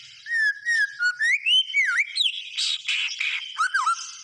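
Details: White-rumped shama in lively, full song: a varied run of clear whistled notes rising and falling in pitch, broken midway by a few harsh, buzzy bursts before the whistles return.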